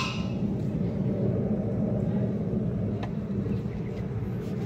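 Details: A constant low rumble like a passing vehicle or handling noise fills the recording, with a brief faint click near the end and no animal call.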